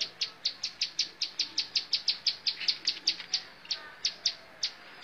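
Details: Bar-winged prinia (ciblek sawah) singing a fast series of about twenty sharp, high chips, roughly four per second, with a short pause midway before the run resumes.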